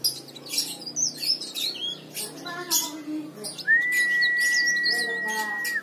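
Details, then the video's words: Leaf warbler song as a lure to set other birds singing: scattered sharp high chirps and short trills, later joined by a long, flat, steady whistled tone. "burung cikrak daun gacor istimewa"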